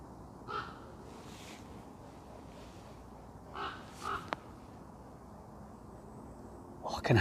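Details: Three soft, hoarse croaks, a deep throaty call from a common raven close by in woods off the Spaniorum skyway, Bristol, spaced a few seconds apart, with a quiet human voice and a closing rush of noise as the raven's big wings beat overhead.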